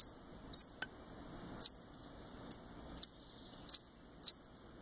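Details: Captive-bred saffron finch of the Brazilian subspecies, kept by a breeder in Fortaleza, Ceará, giving very high, sharp downslurred chirps spaced about a second apart over a low background hiss.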